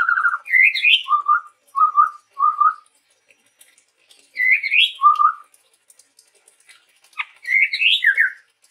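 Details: Chestnut-rumped babbler, a male Sumatran forest bird in full song, delivers clear whistled phrases: a trilled note, rising slurred whistles, and a run of three short wavering whistles, repeated with pauses.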